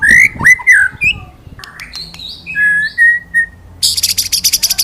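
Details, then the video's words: White-rumped shama used as a tutor for other birds, singing 'ngalas nembak' 'wit wit cerrrr'. Rich slurred whistles and sharp notes come in uneven phrases, ending in a sudden fast, high, buzzy trill. "Masteran Burung Murai Batu Ngalas Nembak Wit Wit Cerrrr,Suara Murai Gacor"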